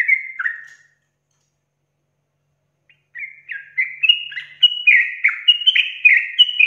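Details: Sooty-headed bulbul in a long, rapid, chattering ropel song: a short burst of whistled notes, a pause of about two seconds, then a rising run of quick, slurred, bubbly notes that grows louder.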